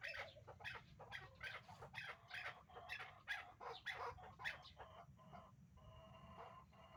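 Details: Hybrid chukar partridge pair, kept for breeding: a fast volley of hoarse clucking notes for about four seconds, then the calling stops, leaving a faint tonal hum.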